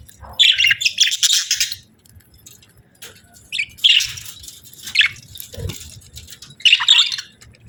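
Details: Budgerigars chirping cheerfully: dense bursts of high, scratchy warbled chirps around two seconds long, separated by brief pauses, with quieter chatter between the bursts.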